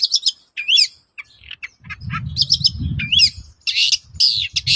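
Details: Long-tailed shrike lure song meant to set other shrikes calling back: varied high scratchy notes and twisting whistled slurs, delivered in quick bursts over a low rumbling background.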